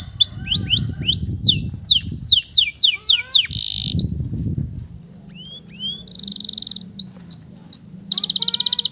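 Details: Male canary in full song as therapy for stressed canaries that stopped singing: rapid descending swoops and a harsh buzz, with low rumbling noise early, then rising whistled notes and buzzy trills.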